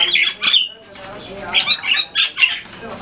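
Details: A brawl between common mynas in Bangladesh: two sharp, harsh squawks open the stretch, then after a short pause comes a series of four rasping squawking bursts.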